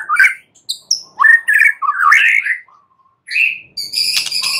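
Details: Shama lure song at night to provoke answering song: lively slurred whistles and warbles, a pause, then a rising whistle and a harsh buzzy burst.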